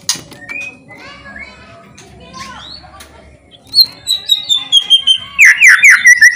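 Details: White-rumped shama giving loud song meant to provoke other shamas into singing: a soft, faint opening, then from midway loud whistled notes sliding downward, followed by rapid rising chirps and rattling bursts repeated about every quarter second.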